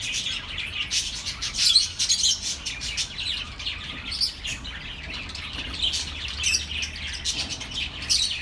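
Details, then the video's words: Birds chirping, offered as relaxing sound for lonely pet birds: dense overlapping high twitters and short chirps with soft, steady low hum beneath. "relaxing birds sounds for your lonely birds"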